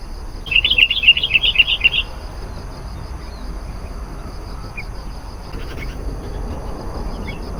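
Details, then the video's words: Sooty-headed bulbul in full voice as a lure for wild bulbuls: a single quick burst of about eight bright, bouncing chirps lasting under two seconds, followed by quiet background hiss with a couple of faint distant notes. "SUARA BURUNG KUTILANG GACOR. AMPUH MEMANGGIL KUTILANG LIAR.."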